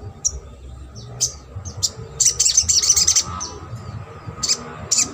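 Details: Crimson sunbird, used as a lure call to stimulate silent or reluctant sunbirds to sing, giving sharp, very high, thin chips, then a rapid run of stuttering notes over a faint low hum.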